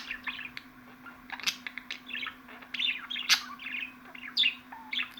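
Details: Budgerigar twittering in fast bubbly phrases of chirps and squeaks, building to louder scratchy notes toward the end; faint hum beneath.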